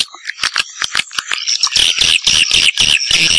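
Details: Swiftlet calls used to lure swiftlets to nest houses: a fast series of dry clicks gives way to loud, dense buzzy chattering trills, pulsing several times a second, with no other sounds.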